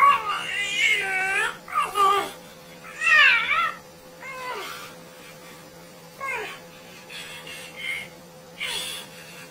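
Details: Parrot giving funny noises: wavering, bent, meow-like cries, some long and rising then falling, others short upward-swept squeaks, arriving in an uneven series over nine seconds, a low electrical hum constant in the background.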